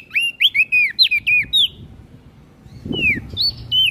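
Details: Olive-backed tailorbird singing eagerly, with a fast burst of ringing downslurred whistles, a brief pause with a soft knock, then a few further whistles.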